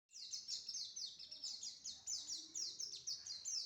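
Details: Pleci, the local name for a white-eye, sings a fast high chattering run of short descending buzzy notes, tightly repeated, with faint background noise.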